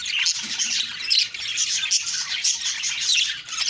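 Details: Budgerigars in the morning give a busy mix of high scratchy chirps and short squawks, overlapping in a constant chatter.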